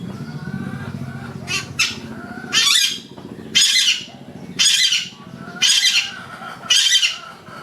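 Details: Yellow-vented bulbul singing in the wild, bursts of loud, bright, bubbling phrases repeated about once a second, with a faint low rumble underneath between phrases.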